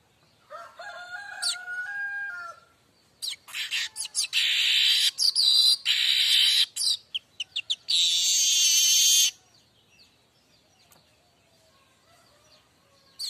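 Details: Streaked weaver in full 'mbeset' song, used as a tutor and lure for other weavers: scattered chirps, then rapid ticking notes building into dense buzzy bursts and a loud sizzling stretch before fading to sparse clicks.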